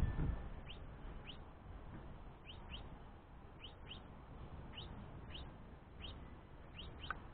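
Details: Young house finch begging its father for food after leaving the nest, while the mother rests: faint, thin rising chirps repeated about every half second to second over a steady low background rumble.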